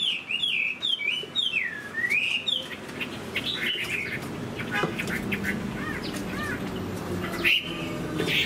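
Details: Caged Chinese hwamei, moulting, opening with loud looping whistled phrases that rise and fall, then quieter scattered notes over background rustling and handling noise.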